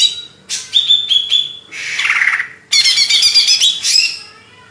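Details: Greater green leafbird, Banyuwangi origin, Indonesia: a steady whistled tone with quick flicks, a harsh falling buzzy phrase, then a bright rapid chattering run that fades.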